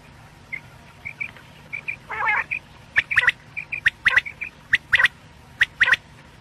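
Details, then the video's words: Quail calling for night use, Pakistan, in a quail hunting context: soft short chirps, one longer nasal buzz, then sharp paired and tripled high notes, repeated. "quail sounds/ batair ki boli | Batair ki Awaz rat k lia"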